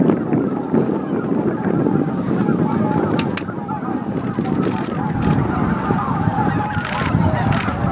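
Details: Evening roost flight of greater white-fronted geese, some 15,000 birds, Miyajima-numa, Bibai, Hokkaido, 11 April 2016; loud unbroken babble of honking calls from the flock, with strong wind buffeting the microphone.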